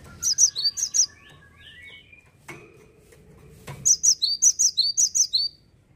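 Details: Indonesian cinereous tit, described as now rare in gardens, giving a short run of four high, ringing double-notes, then faint lower whistles, then a longer string of about nine bright, rapid chirped notes.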